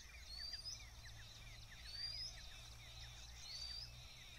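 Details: Vernal hanging parrot recorded near Pangare village: a thin, high rising whistle repeated three times, roughly every one and a half seconds, over a busy background of other birds' chirps and a steady low rumble.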